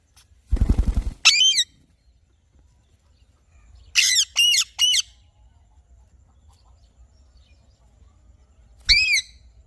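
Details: Alexandrine parakeet giving harsh harmonic squawks, a quick run of three and later a single call, after a burst of rapid fluttering or flapping at the start.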